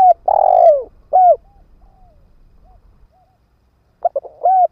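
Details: Ground decoy spotted dove calling to draw in wild birds. A long, falling hollow coo followed by a shorter coo, a quiet gap with faint soft notes, then the next phrase begins with quick clipped coos.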